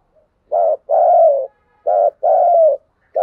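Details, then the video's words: Spotted dove giving low, hollow 'thúc gù' decoy cooing: a short note followed by a longer, slightly falling coo, the pair repeated about every second and a half. "tiếng chim cu gáy thúc gù, tiếng chim cu gáy thúc bổi về cội"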